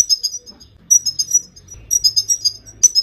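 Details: Female Himalayan goldfinch calling to stimulate and motivate males into singing; bursts of high, thin chirping notes in quick series, pausing and resuming about every second.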